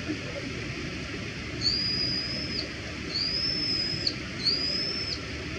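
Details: Brown-eared bulbul uttering three drawn-out, thin, high whistles, each slightly rising and then dropping at the end, over a constant rushing background noise.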